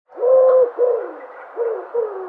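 A dove gives low, hollow coos: one long, even note, then a short one, followed by two softer, slightly falling notes.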